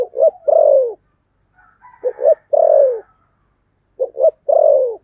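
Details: Low, mellow cooing of a spotted dove in the 'thổ sấm' voice: a quick paired note and a long descending coo, repeated three times, with a faint higher murmur between phrases.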